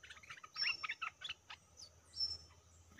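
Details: Caged stripe-throated bulbul used as a decoy bird facing captured wild birds, giving a quick run of chirpy, bubbly notes for about a second. A few higher thin whistles follow, over a low background hum.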